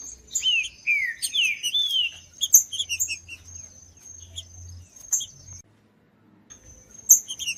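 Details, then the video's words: Green-winged saltator singing, used to warm up a cold bird for tournament breeders: loud whistled slurs falling from high to mid pitch, two or three phrases in quick succession, then scattered short high chirps and a steady faint high tone. "ESQUENTAR TRINCA FERRO FRIO COM TRINCA FERRO CANTANDO"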